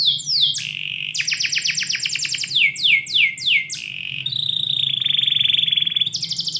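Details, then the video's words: Canary in the morning indoors singing repeated fast descending sweeps in tight series, then a long level trilled phrase that pulses rapidly, ending in a high burst; low hum beneath. "KICAU BURUNG KENARI - DIPAGI HARI DALAM RUMAH"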